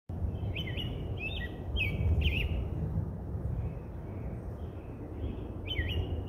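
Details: American robin singing at Roberts Bird Sanctuary: short whistled phrases with bent, rising and falling notes, given in separate bursts with pauses between, over a steady low rumble of background noise.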